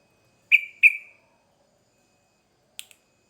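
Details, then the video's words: Sooty-headed bulbul in an excited lure recording: two loud, piercing whistled notes close together, each sliding off into a fading tail, followed by silence and a brief soft tick. "Trucukan Gacor Ngamuk Pancingan Cepat di Respon Burung Trucuk Bahan"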